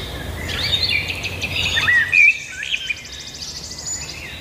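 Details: Birds singing outside: quick chattering whistles and a short rattling trill, with a steady low background noise throughout.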